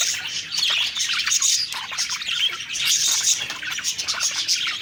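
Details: Happy budgies singing during feeding: a thick wash of rapid high chirps and warbles from several birds, with a few clear whistled notes standing out.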